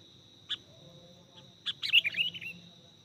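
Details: Sooty-headed bulbul used to lure birds: a single sharp note, then a run of liquid chattering whistles sliding downward, against a steady high tone and soft low background noise.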